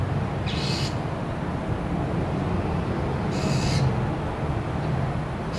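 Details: Northern mockingbird screeching while dive-bombing a much larger vulture, trying to chase it off; two short, harsh, noisy bursts about three seconds apart over a steady low rumble.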